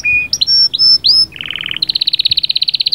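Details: Canary song with sahsahat and batbatat phrases, said to get the female ready for breeding at once: a flat high whistle, quick upswept notes, then a buzzy mid-pitched trill and a fast, even rolling trill.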